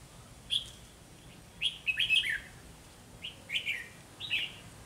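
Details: Competitive singing of red-whiskered bulbuls at a trap site where a caged decoy meets tough wild birds: a lone clear note, then two quick clusters of rich, lilting whistled phrases.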